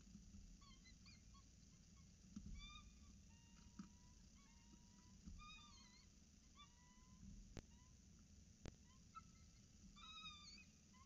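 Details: Peregrine falcon chicks at Orange CSU on the morning of 26 October 2019, fed by the adult female: many short bent chirps and a few longer falling whines, irregularly spaced, with sharp knocks and low background rumble.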